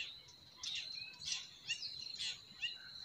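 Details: Spring forest birdsong: a run of bright, sharp chirps roughly every half second, some sweeping downward, set against a constant high-pitched buzzing drone and faint rushing noise.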